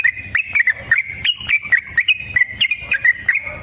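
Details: Yellow-vented bulbul in a long fighting song with rapid trilled phrases, used to prompt other birds to sing: short bright chattering notes repeated about every third of a second, mixed with sharp clicks.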